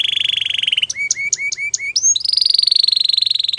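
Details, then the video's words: Belgian canary singing in the morning: a fast buzzy trill, then a run of short clear notes rising and dipping, a sweeping upward whistle and a long high rolling trill. "Canary Singing In The Morning | Belgian Canary Song"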